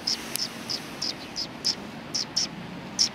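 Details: Several sparrows coming in to be fed at a bridge, recorded 14 January 2020. Brief bright chirps repeat roughly every third of a second, unevenly spaced, over a low constant hiss.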